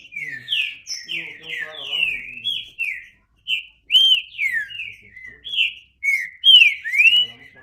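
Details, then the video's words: Green-winged saltator singing rich, slurred whistles, mostly descending, grouped in short phrases with brief silences between them, with faint softer notes in the background. "Trinca Ferro (cantando)"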